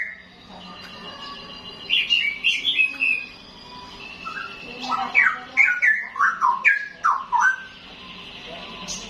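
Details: A young wild-caught straw-headed bulbul (Pycnonotus zeylanicus) sings rich, gurgling phrases of liquid whistles that rise and fall in quick bursts, with brief pauses between phrases.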